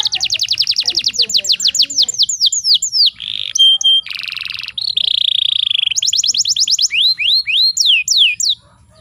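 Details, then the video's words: Canary female in breeding condition, a lure for males: a fast trill of sweeping notes, a buzzy harsh section, a steady rolled tone, then more rapid sweeping chirps ending in rising notes. "PANCINGAN KENARI BAHAN PALING DINCARI"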